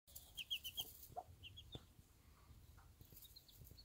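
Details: Bantam hen with her one-day-old chicks on a small backyard farm; short high peeps come in quick bursts of four or five, then fainter scattered cheeps, over a soft low background rumble.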